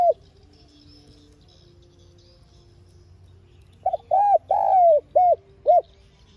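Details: Spotted dove lure voice for trapping, calling and urging: faint low tones and hum, then one crisp phrase of short and long arched coos, the longest falling gently, ending in two clipped coos.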